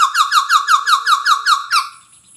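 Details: Pied butcherbird giving nine ringing down-slurred whistled notes in quick, even succession, about four per second, followed by one higher accented note and a fading tail.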